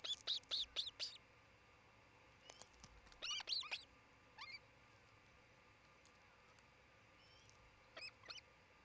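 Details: Osprey at a nest near Charlo, Montana, where a pair is nesting, 27 June 2018 near midday, recorded by a nest camera: short bursts of high, sharp whistled chirps, then brief pauses and scattered fainter chirps, over a steady background hum.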